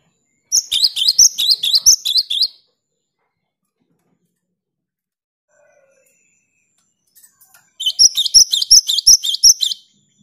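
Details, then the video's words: Actively singing cinereous tit, used to prompt silent caged tits to sing: two bursts of quick, ringing two-part whistled phrases, roughly eight to ten phrases each, separated by about five seconds of silence. "Gelatik batu gacor untuk merangsang gelatik macet agar rajin bunyi"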